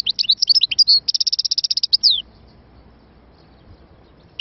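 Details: European goldfinch giving a bright, high twittering phrase that runs into an even, rapidly repeated trill, ending in a falling note after about two seconds, then quiet.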